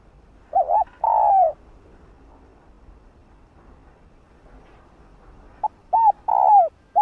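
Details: Female spotted dove giving coos that stimulate males to call. A wavering double note and a long falling coo, a pause of about four seconds, then a short note, a double coo and another long coo.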